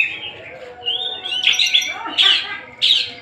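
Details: Oriental magpie-robin, Tasik type, giving a drawn-out whistle followed by three loud rasping buzzy bursts spaced about two-thirds of a second apart.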